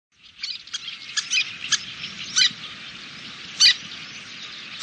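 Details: Little terns at a nesting colony in Kobe, Japan, on 26 June 2016, where fledglings grown to adult size leave the site in flight: sharp, high, scattered calls come irregularly over a steady soft background hiss.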